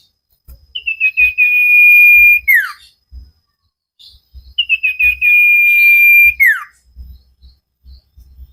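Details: Common iora (cipow) training song for cage birds, delivered vigorously: two matching phrases, each of short rising notes accelerating into a long sustained whistle that drops steeply at the end, about four seconds apart.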